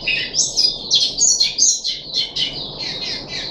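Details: Puff-backed bulbul in captivity, recorded 14 July 2021 on its third day of deworming: rapid, high, scratchy chirps and whistles tumbling out several per second, growing slightly softer toward the end.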